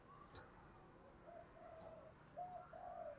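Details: Spotted dove kept as a lure bird, in the thúc gù cooing style with a giọng thổ voice, giving a full set: low, soft coos in short, slightly uneven phrases that grow louder toward the end, over faint background hiss.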